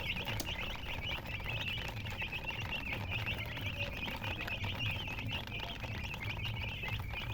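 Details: Continuous chorus of baby chicks, countless short high peeps tumbling over each other, accompanied by a faint pattering and a steady low hum underneath.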